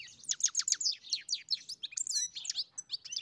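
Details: Singing European goldfinch on a farm, delivering a fast, continuous stream of sharp downslurred chips and liquid twitters, tinkling and varied, with a faint low background hum.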